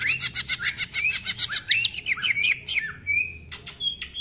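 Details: Greater green leafbird with rough-toned, rapid ngentrok song: rattling trills mixed with wavering whistled phrases, then a long level whistle and a couple of sharp clicks.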